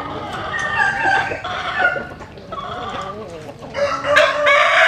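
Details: Several roosters crowing at daybreak while basking in the morning sun; overlapping crows answer each other, the last one louder and closer.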